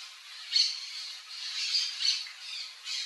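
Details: Palm tanager (Thraupis palmarum) giving a continuous run of high, squeaky, slightly buzzy notes that swell and fade in about four pulses, with sharp accents on each swell.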